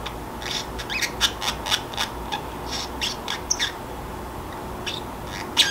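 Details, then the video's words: Pet Pacific parrotlet, free-roaming indoors, muttering to itself as it grows sleepy in a quiet room: short scratchy chirps and clicks in quick irregular bursts, some sharper squeaks, over a steady low electrical hum. "【マメルリハインコ】眠くなると独り言をはじめます おしゃべりが独特"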